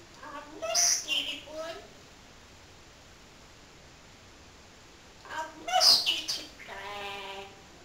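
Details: Parrot kept as a pet, talking all day: a short spoken-sounding phrase, long quiet stretch, then a sharp harsh syllable followed by a steady buzzy, evenly pitched drawn-out sound.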